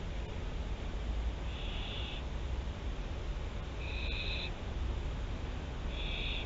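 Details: Barn owl, Théding, France, 24 September 2021, webcam at the nest: three rough hissing calls, the first longest at over half a second, with steady low humming noise behind.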